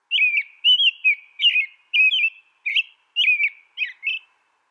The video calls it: American Robin Bird Sound, Bird Song